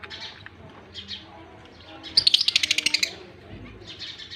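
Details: Male budgerigar feeding chicks, October 18, 2023; soft scratchy calls, then a rapid run of about ten clipped, buzzy ticks for one second, followed by more raspy chirping.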